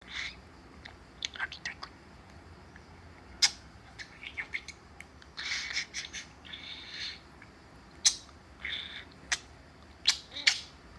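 A budgerigar gives scattered short, scratchy chirps and harsh squawky notes at an irregular pace, with a few sharp clicks between them.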